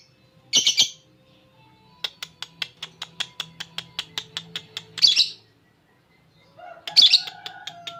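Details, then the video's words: Lovebird, a ngekek champion with cililin filling used for training other birds: loud squawk bursts break into a long steady row of high ticking clicks, with faint whistled tones near the end. "Love bird juara ngekek isian cililin cocok buat masteran"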